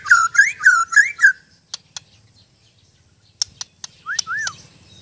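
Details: White-rumped shama (murai batu) giving a short burst of looping whistled notes over about a second, followed by sparse sharp clicks and two soft arched whistles after a quiet pause.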